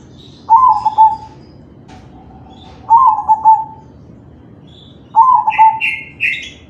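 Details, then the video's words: Crossbred zebra dove singing kalung tempuk to lure other doves into song: three gurgling coo phrases about two and a half seconds apart, a faint low note between, and a burst of high chirping birds at the end. "Suara perkutut crossing manggung || Perkutut crossing kalung tempuk || Pancingan perkutut lain"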